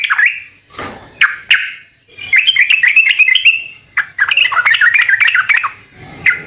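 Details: Trucukan in full, lively song used to prompt other birds to respond. Short sharp notes open into long, rapid, warbling chatter, then a final clipped note.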